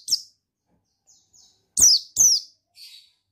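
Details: Male buxtoni white-eye, whose sound is meant to stir another bird into singing: a few sharp, high downslurred notes, two loud ones close together near the middle, with softer faint chips between and a weak trailing note.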